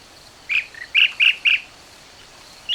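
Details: Blue-tailed Bee-eater (Merops philippinus), seen at Udawalawa National Park, Sri Lanka, gives a quick run of five short, rolling, burry notes, then one more after a pause, over a faint background hiss.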